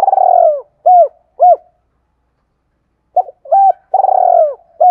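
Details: Spotted dove used to lure wild birds, cooing in clear mid-pitched phrases: a long opening coo and two short arched notes, silence, then another series beginning with clipped notes and a sustained coo.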